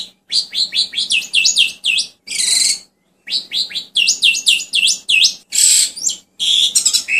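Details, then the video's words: Asian pied starling song used as a lure: rapid series of rising and falling whistled notes repeated in runs, broken by loud harsh buzzy bursts, with a short pause midway. "SUARA ASLI JALAK SUREN UNTUK PANCINGAN ATAUPUN TERAPI BURUNG ANDA"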